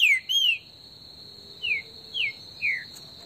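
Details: Trinca-ferro, or green-winged saltator, heard in the bush in esquenta style: loud opening whistles, a pause, then three evenly spaced descending whistled notes about half a second apart, with a constant shrill insect tone behind.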